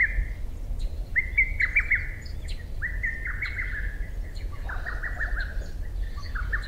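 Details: A lesser cuckoo sings in June just after 4 a.m., as it does every morning at this season, giving loud, rapid whistled phrases of five or six notes that slide and stutter downward over a low steady rumble.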